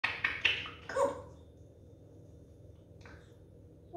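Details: Grey parrot (Psittacus erithacus), talking.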